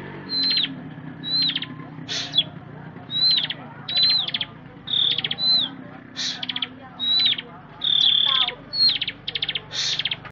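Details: Bar-winged prinia song: about ten clipped phrases, each a high whistled note or slur followed by a rapid stuttering trill, spaced roughly a second apart against faint low background hum.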